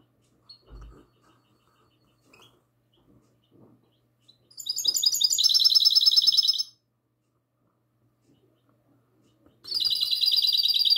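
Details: Goldfinch hybrid singing classic-style song, recorded on the night of 22 March 2020: two bursts of rapid, bright, rattling trills with twittering notes, separated by several seconds of near silence with faint soft clicks.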